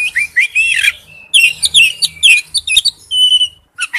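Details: Male oriental magpie-robin calling to a female: bursts of bright, tumbling whistles and chirps, a held clear whistle, then a brief final note; faint low hum behind.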